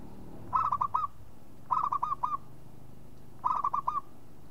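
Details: Local zebra dove repeating a short phrase three times, about every 1.2 seconds: each phrase is four to five rapid, mellow cooing notes, the last slightly drawn out, over a quiet low background hum.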